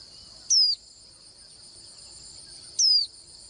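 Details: Pleasant-voiced Swinhoe's white-eye: two brief, piercing, downward-slurred whistles a little over two seconds apart against a constant ringing insect chorus.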